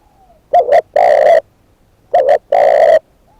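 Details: Two cooing phrases from a decoy spotted dove. Each is a short wavering double note, then a long even coo about half a second long.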